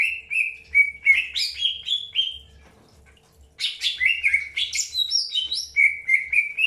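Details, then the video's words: Greater green leafbird during early pairing, with a sequence of bright chirps and slurred whistles, some rising and some falling, in two bursts separated by a short pause. Low soft knocking is heard underneath. "PROSES PENJODOHAN AWAL BURUNG CUCAK HIJAU"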